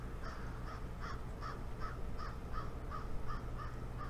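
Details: Ospreys at the Boathouse nest, watched by a live nest camera on 15 April 2019 at 11:35: about ten short, clipped notes in an even series, roughly two to three per second, over a steady low background hum.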